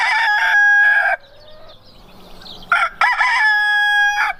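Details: Two crows from a rooster: a loud, strained, multi-part crow with a steady held middle that ends in a low drop, then a quieter gap before a second, similar crow starts and runs to the end.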